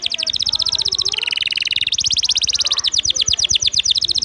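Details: Canary song for training other birds, made of continuous fast high trills, switching midway to a lower, buzzier rolling phrase before returning to rapid sharp chips.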